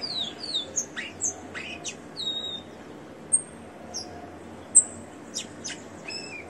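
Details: Captive rufous-collared sparrow, leg-ringed, singing softly: a series of slurred downward whistles and sharp high notes spaced irregularly, with a faint hum and hiss behind.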